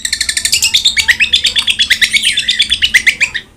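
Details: Cendet, the long-tailed shrike, delivers a continuous chattering run of rapid scratchy notes, several per second, with sharp whistled accents mixed in and steady, even loudness.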